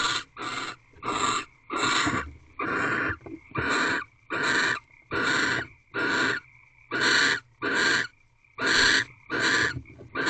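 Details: Wild barn owls in a corral owl box during mating, fifteenth night, 3/4/23 at 4:17 am: breathy, hissing screech bursts repeated steadily, about fourteen in ten seconds, each short and harsh, with brief silences between.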